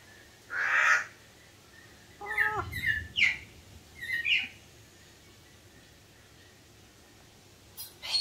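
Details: After its cage door is opened, an Eleonora cockatoo (Cacatua galerita eleonora) says hello with a harsh, raspy screech, then a quick run of short, gravelly squawks, with a soft clunk in between.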